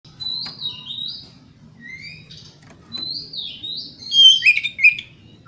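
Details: Oriental magpie-robin singing vigorously in the morning, played as a lure to provoke rivals: scattered high whistled notes and slurred phrases with a brief louder, warbling burst near the end over a faint low hum.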